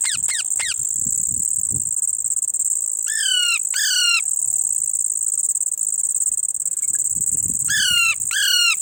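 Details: Baby Indian ringneck parrot calling: three bursts of harsh, descending, harmonic-rich squawks, two or three quick notes each, at the start, middle and end, over a constant high insect-like hiss.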